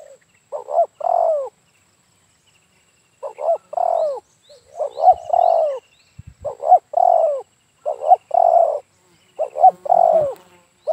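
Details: Terkukur, or spotted dove, heard while trapping with decoys around Dumai in Riau province, Indonesia; soft hollow coos in short two-part phrases, a clipped note followed by a longer descending coo, after a pause then repeated steadily, light twittering of other birds.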